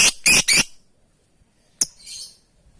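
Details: Lovebird calling companions: three rapid loud rasping screeches, then a pause and a single sharp chirp followed by a softer buzzy trill.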